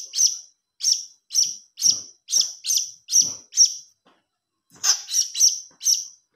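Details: Begging calls of a young blue-crowned hanging parrot, a lure sound: a steady run of seven high, piercing chirps about half a second apart, a short pause, then a quicker cluster of four more.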